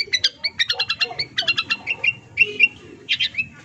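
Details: Long-tailed shrike (cendet) song played as sound therapy to make mute or silent birds sing: rapid varied chattering notes and short whistles, bursts of harsh buzzy syllables mixed with clear rising and falling whistled phrases.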